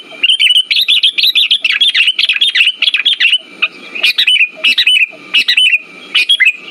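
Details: Sooty-headed bulbul sound played to coax a silent bird into song: a long run of rapid, warbling high chirps, then separate chirp clusters spaced about half a second apart.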